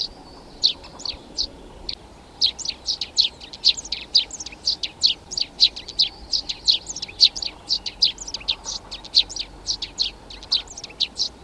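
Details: Eurasian tree sparrow (Passer montanus) giving a steady run of short, sharp chirps, several each second, like a small flock chattering against a faint background hiss.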